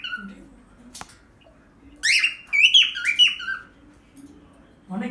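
A cockatiel sings a burst of bright, warbling whistles with chirpy, slurred notes in a small room.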